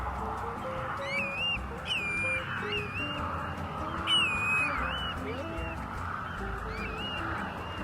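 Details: Black-bellied plovers, not in breeding plumage, calling back and forth by a boardwalk near oyster beds on Amelia Island, northern Florida; plaintive, slurred whistles rising then falling, in bursts every two or three seconds, over steady background music.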